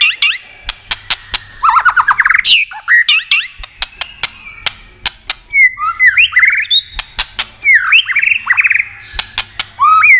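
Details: White-rumped shama song meant to excite other shamas, with many sharp tail-snapping clicks between bursts of rising whistled phrases, fast trills and scratchy high notes.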